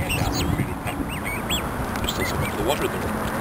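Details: Black swan (Cygnus atratus) cygnets with an adult give their characteristic thin, high peeps, each arching up and down, several per second and overlapping, over a low background murmur.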